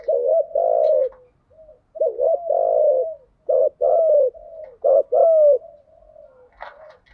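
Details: Spotted dove decoy calls in the 'thúc gù' and 'gáy gọi' styles, meant to rouse newly caught birds: uneven low throaty coos, some long and rolling, some short and clipped, with soft hooting between phrases.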